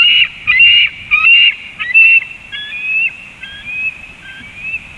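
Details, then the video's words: An eaglet calls at 19:09 as an adult eagle flies away: a series of thin, high whistled notes, choppy at first, then longer, slightly rising whistles, all fairly faint. "eaglet call a eagle flew away"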